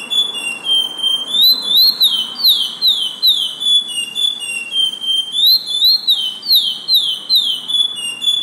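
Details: Lesser seed finch (curió) singing in an arejador: loud, clear whistled phrases of slurred, falling and rising notes, repeated in steady runs with brief pauses, with a faint hum of a small indoor room behind.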